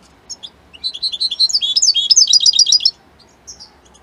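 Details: European goldfinch, Italian type, giving a few scattered chirps before a two-second burst of rapid, high, tinkling twitters with buzzy trilled notes. Quiet, isolated calls follow.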